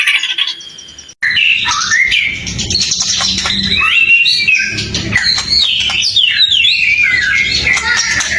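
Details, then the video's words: White-rumped shama in gacor song played to make other shamas sing back: after a brief break, a long continuous varied warble of slurred whistles and chattering notes. "Suara murai batu gacor AMPUH buat pancingan murai batu agar emosi LANGSUNG NYAUT"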